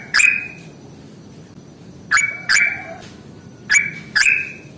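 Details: Yellow-vented bulbul in ngalas tarung (fighting) style, used to prompt reluctant birds to sing: loud, ringing, downslurred whistled notes delivered singly and in pairs, with quiet pauses between bursts.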